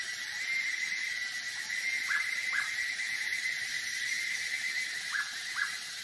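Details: Near Bogor, a hooded pitta gives two paired whistles, short downslurred notes in quick twos separated by about three seconds, against a constant buzzing insect chorus and background hiss.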